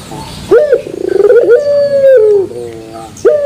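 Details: Turtle dove delivering a puter pelung song with a metallic ending. A quick rising note gives way to a fast stammering pulse train, then a prolonged steady coo sinking at its close, before the next phrase starts.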